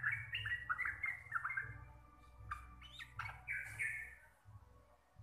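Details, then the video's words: Javanese local sooty-headed bulbul, its 'ropel' singing style called deep, clear and loud: a run of rapid falling whistled notes, then scattered sharper notes and a drawn-out slurred phrase near the end, with steady low hum. "TRUCUKAN GACOR RECEH DURASI PANJANG"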